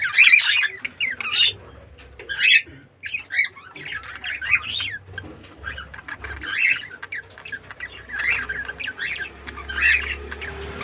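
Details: Red-eyed white (albino) budgerigars, ready to breed, chatter in a steady stream of high, scratchy chirps and warbles.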